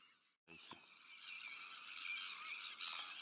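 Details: After a short gap and a thump, a wall of harsh, screeching calls rises from a Sandwich tern breeding colony that also hosts black-headed gulls, arctic terns and common terns.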